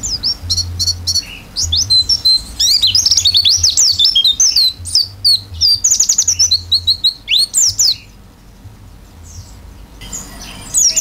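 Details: Energetic 'gacor isian' song of an oriental white-eye singing with open beak: long runs of rapid, piercing high chirps and trills, pausing briefly near the end before resuming, over a soft low hum.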